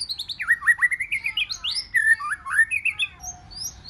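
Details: White-rumped shama, forest-voice song intended to stir a wild-caught shama into competition singing. Rapid zigzag whistled notes climb and fall in quick succession, closing with a soft low whistle and a high rising note.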